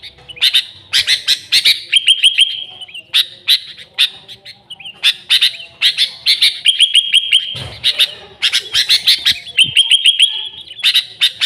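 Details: Sooty-headed bulbul lure: vigorous chattering chirp bursts interleaved with several level, ringing whistles, keeping up a lively, nearly continuous pace.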